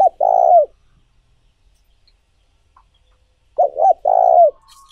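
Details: Spotted dove calling as a lure to train decoy doves: one long wavering coo, a quiet gap, then a phrase of two quick coos and an extended low coo that falls at its end.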